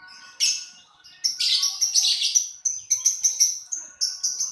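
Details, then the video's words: Lovebird chattering steadily: one loud squeak, then a long harsh, buzzy run of shrill notes followed by a fast series of clipped, evenly spaced high chirps. "LoveBirt_Bunyi suara burung"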